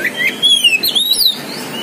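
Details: Caged Oriental magpie-robin of the poci variety, a songbird-contest bird, singing loud clear whistled phrases that slide between high and mid pitch with quick twisting upslurs; faint room noise beneath.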